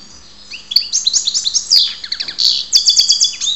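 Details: Karderina, the European goldfinch, in Ptolemaida, Greece: a brisk burst of high tinkling twitters and rapid chirped notes, ending in a bright buzzy phrase, over a faint electrical hum.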